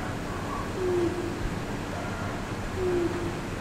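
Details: Around 8 at night, a bird standing on a rooftop gives two soft, low hooting notes that dip slightly in pitch, spaced about two seconds apart, over a constant low hum.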